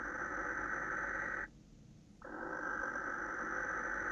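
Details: Male barn owl screeching toward a female, night of 26 December 2017 near 21:07; two long, noisy, breathy rasps separated by a pause of under a second.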